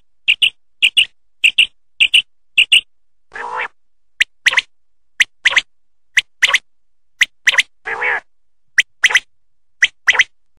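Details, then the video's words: Quail song: sharp, clipped paired notes repeated about every half second, broken twice by a longer, lower nasal call; no other sounds. "Quail song subah ke liye bahut acchi Awaz"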